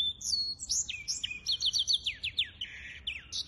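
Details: Hybrid finch, 23 April 2023, sings a lively phrase of whistled slurs, a short rattling trill and repeated falling chips, ending in buzzy notes.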